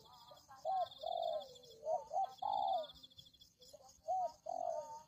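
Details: Spotted dove lure recording used to attract wild doves. Mid-pitched, arched cooing notes come in short bursts, a few doubled, with pauses between phrases. A steady high buzzing hum runs behind.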